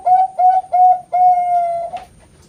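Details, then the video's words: Bangkok-type zebra dove from a breeding farm in Kroya, Cilacap, Central Java, Indonesia, singing competition-quality song with steady front, middle and end parts: three short mellow coos, then one long, even, held coo, in a quiet room. "PERKUTUT BANGKOK GACOR PAKEM DEPAN TENGAH UJUNG KUALITAS LOMBA"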